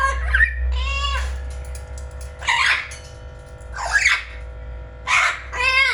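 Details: Blue-fronted amazon parrot kept as a pet, talking in a small room: five hoarse, harmonic, speech-like bursts, some squawky and rising, spaced about one second apart.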